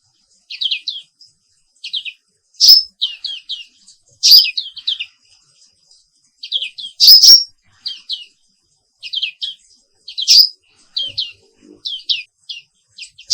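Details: Morning song of a black-capped white-eye from Indonesia: repeated bursts of rapid, high, downslurred chirps in twos and threes, punctuated every few seconds by louder rasping buzzy notes.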